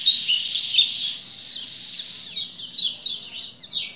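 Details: Steady high buzzy trilling from a Lombok white-eye, run together almost without a break, sung to encourage a male to start singing.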